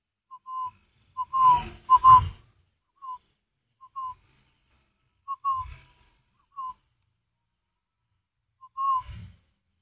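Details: A spotted dove from northern Vietnam coos in scattered soft low notes, singly or in pairs, separated by silence, with occasional knocks and brief bursts of high hum.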